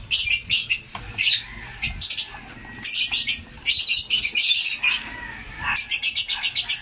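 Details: Aviary-kept African lovebirds give harsh, high chattering squawks in rapid repeated bursts, with brief gaps between runs and a continuous lively flock chorus.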